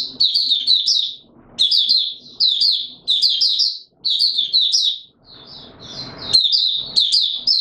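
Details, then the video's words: White-eye (Mata Puteh Raja) in open song on a warm, humid day in March 2022. Lively high warbled phrases repeat in clusters, with a rustling break near the end. "Mata Puteh Raja Video 1 buka sing"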